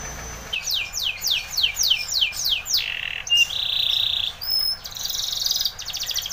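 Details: Spanish Timbrado canary singing for training: falling sweeps about three per second, then a low buzzy roll, a thin high note and a shimmering buzzy tremolo.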